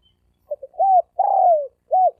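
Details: Single 'thổ ồm vang' coo phrase from a spotted dove: two brief soft pips, a smooth arched coo, a longer husky coo falling away, then one short rounded closing note.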